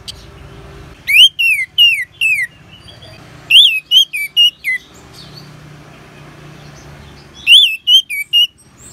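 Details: Orange-headed thrush, northern Bali, singing as a training sound for other cage birds: groups of four or five loud looping whistles, each rising then falling, separated by quiet gaps over a low background hum.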